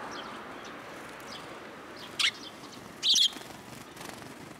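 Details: Sparrows arriving to be fed, recorded on 26 October 2022 on the way home; two short, bright chirps ring out a second apart over a steady background hiss.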